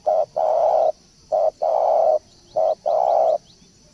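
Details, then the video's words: Spotted dove call played as a decoy to attract birds. It gives three rhythmic phrases, each a short coo followed by a longer mellow coo, repeated about every second over a constant high-pitched insect buzz. "pancingan burung balam/tekukur"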